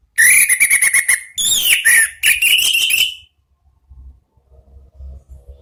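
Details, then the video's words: Orange-headed thrush singing in the loud ngeplong style, played to stimulate birds to sing: a fast burst of sharp repeated chips with high whistled notes, then a sliding descending phrase and more rapid chips before quiet with faint low rumble. "MEMANCING ANIS MERAH BUNYI NGEPLONG"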